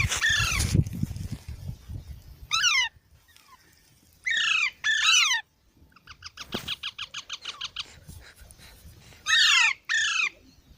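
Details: Green parrot alternating loud paired squawks that sweep downward with a rapid run of short chattering notes, over faint low background noise.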